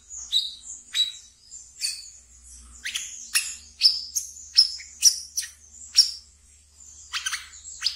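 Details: Ngeriwik twitter of a captive wiceh (brown-throated sunbird), played to lure raw birds: steady run of high piercing chips about twice per second, interspersed with scratchy buzzes.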